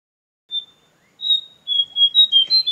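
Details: White-throated fantail visiting a balcony gives thin, high whistled notes, a single note then a quick run of sweet level and slightly falling whistles; no other sounds.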